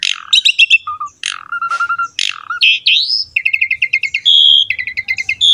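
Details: Asian pied starling singing as bait for other birds: harsh squawks, level whistled notes, a rising slur, then fast buzzy rattles, with faint low rumble beneath.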